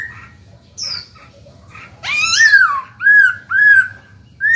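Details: Black-throated laughingthrush kept as a cage bird, singing to prompt newly caught birds to sing: soft chatter, then a loud upslurred whistle and two ringing arched whistles, about one each second, in a quiet room.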